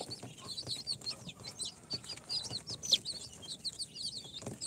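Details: Four-day-old incubator-hatched chicks of Sultan, Golden Sebright, Cochin and booted breeds chirp together, a busy flock of thin high peeps with one sharper, louder cheep near the middle, over soft shuffling and tapping noises.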